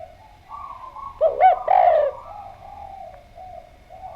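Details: Spotted dove (derkuku, tekukur) in Indonesia, a lure recording played to make doves answer: a single phrase of soft low coos, two short hooked notes then a longer rolling coo, with faint background cooing from other doves.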